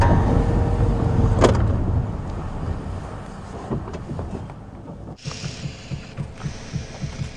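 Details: Low engine rumble and wind buffeting on a sunrise safari drive, with scattered knocks and thumps but no animal voices.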